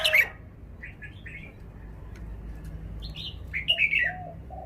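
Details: Red-whiskered bulbul kept in a cage, performing its song style: a sharp opening note, then a spaced series of quick chirpy warbles. Faint low hooting notes and steady background hum sit underneath.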